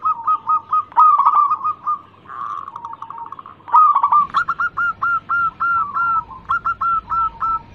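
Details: Cooing song of a local zebra dove used as a lure for other birds: quick clipped notes, a brief soft trill, then evenly spaced hooked coos about three per second.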